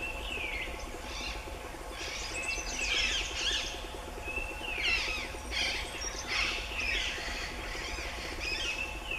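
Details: A male scarlet minivet gives high, thin whistled notes and chirps in short bursts every second or so, with other bird chatter and a steady low background hum.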